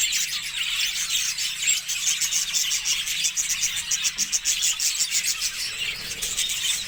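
Budgerigars chatter nonstop in high, scratchy warbles and quick chirps, layered over one another.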